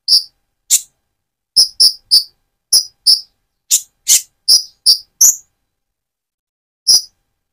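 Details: Van Hasselt's sunbird, a speckled bird moulting to metallic plumage, singing loudly as a lure to excite another bird; sharp high chips, often in pairs, repeated at uneven intervals, then a pause before one final note.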